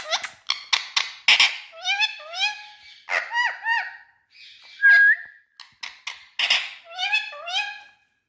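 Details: Talking green ringneck parakeet of India: clipped syllables and crackly bursts followed by drawn-out, rising, word-like phrases, with one piercing whistled note midway through.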